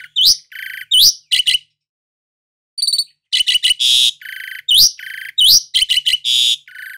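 Asian pied starling singing a loud, varied jumble of sharp rising whistles, chattering bursts and harsh rasping notes, delivered in quick clusters with a brief pause.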